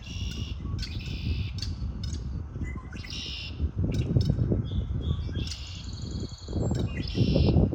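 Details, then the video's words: Several birds sing in spring, packing rapid chirps and buzzy trills close together, with a clear higher whistled note mid-clip, while heavy low rumbling noise pulses beneath. "آوای آرامش بخش پرندگان در بهار"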